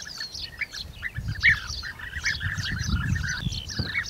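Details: European bee-eater calls: many overlapping short, rolling, liquid notes repeated rapidly, several birds calling together in a continuous chatter, with some higher thin notes and low rumbling background noise.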